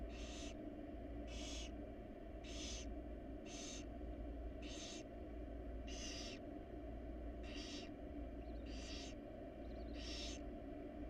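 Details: Wild barn owl family in a research nest box. About ten rasping hiss bursts sound at a fairly steady pace, roughly one per second, over a continuous low mechanical hum.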